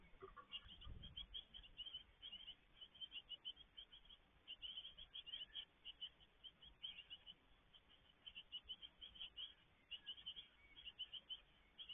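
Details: Great tit feeding at a garden nest box in May 2022, with a continuous stream of faint, high, squeaky chirps in quick uneven bursts over a low background hiss.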